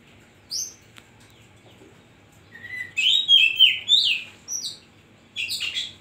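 Oriental magpie-robin singing rich, varied whistled phrases, sliding and chattering notes in quick bursts, high and bright, with a quiet background.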